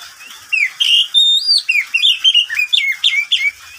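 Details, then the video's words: Pet oriental magpie-robin singing during the day: a few chirps, then a long steady high whistle, followed by a rapid series of rich sliding whistled notes about three a second. "Suara burung Kacer di siang hari"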